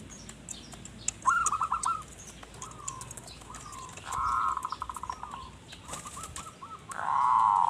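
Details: Zebra dove singing as a lure for wild birds: scattered phrases of quick coos and drawn-out notes, mixed with clicks, other chirps and a loud noisy burst at the end.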